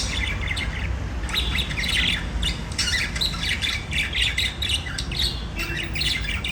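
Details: Several budgerigars singing and chirping, a busy stream of raspy chirrups and squeaky warbles that swells and fades in clusters over a persistent low background rumble.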